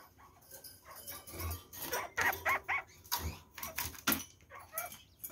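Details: Red-fronted parakeets (kakariki), kept birds fed fresh vegetables, eating carrots; a burst of short, nasal, harmonic chattering notes repeated about four times a second, with rustling and clicking from feeding in a small room.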